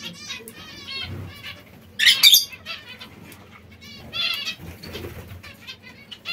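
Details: Zebra finches feeding on seeds and fresh salad utter clusters of short, nasal, stacked calls at the start and again near the end, broken by a sharp noisy burst of rustling or flapping midway.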